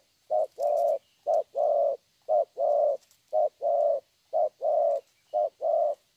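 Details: Young spotted dove, described as having a very good voice, recorded in a Vietnamese dove-trapping context; a low, mellow coo pattern of a short note followed by a longer one, repeated about once per second, six pairs, over faint hiss.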